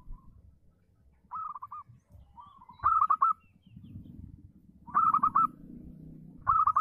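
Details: A local, free-living zebra dove sings energetically, a voice said to lure rival doves into answering. Short phrases of rapid, pulsed cooing notes repeat every second or two, one softer phrase between, with a low rumbling hum beneath.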